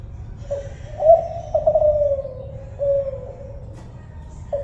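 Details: Spotted dove labelled tekukur Kelantan delivers one full coo phrase, clipped introductory notes leading into long smooth tones that sink slowly in pitch, followed by a lone soft coo.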